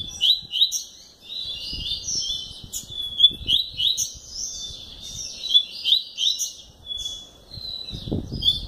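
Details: Continuous lively song of a caged double-collared seedeater, strings of quick whistled upslurs and twittering notes repeated about three times a second, with occasional low thumps and clicks.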